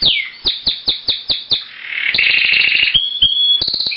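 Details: Caged Timbrado canary male singing beside a new hen in a breeding cage: a run of six quick descending chirps, then a long continuous rolling trill, ending with short whistled and higher trilled notes.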